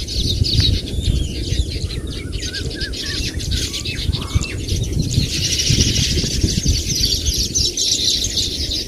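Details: Baya weaver birds keep up a thick, buzzy high chatter that swells louder in the second half, with a constant low rumble below.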